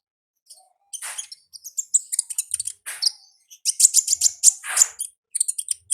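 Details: Wild olive-backed sunbird singing in the ngalas style: rapid, high, thin chirps and sharp ticks run into dense bursts, with brief trilled notes and short pauses between phrases.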